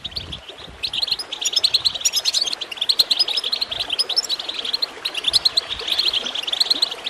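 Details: A goldfinch sings a fast, liquid twittering of high tinkling chirps and trills without pause, over a soft gurgle of running water played to encourage birds to sing.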